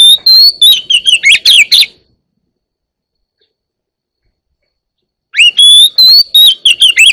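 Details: Singing one-year-old white-rumped shama: a burst of strong whistled and chirping notes, a long silent pause, then another rich phrase that starts with a rising whistle and tumbles into varied sharp notes.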